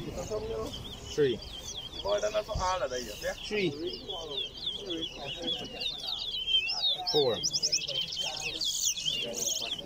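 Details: Towa towa (chestnut-bellied seed finch) singing in a competitive singing race at Lusignan ground, Guyana: rapid high twittering, warbling phrases run almost without pause, while a man counts songs aloud in the foreground.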